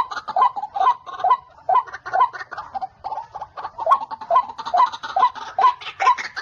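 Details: Repeated harsh nasal notes from a white-breasted waterhen, several males calling at a bird-trapping site, given in a regular rhythm of roughly two per second, each note clipped with a bright squeaky accent.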